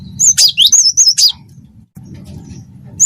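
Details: Cinereous tit of the wingko type singing energetically for a tutor recording: about a second of rapid, high, slurred whistles, then near quiet with a low hum, and a new phrase beginning at the end.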